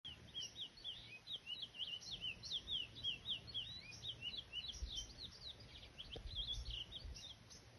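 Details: Chestnut-bellied seed finch, a brown-plumaged bird, singing in nature: a fast, continuous twittering run of short, high chirped notes, some rising and some falling, lasting about eight seconds over a faint low rumble.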